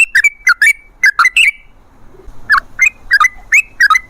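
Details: Yellow-vented bulbul song used to call in wild trucukan: short clusters of two or three liquid whistled notes, a pause of about a second, then a second group of bubbly, rising-and-falling whistles.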